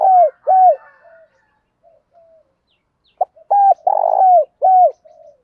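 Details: Spotted dove calls, played in the morning to stimulate and train captive doves; includes male and female birds. Two low, smooth coos open, then soft murmurs, a pause, and a phrase of a clipped note, a coo, a rough buzzy coo and a final coo, with a quiet background.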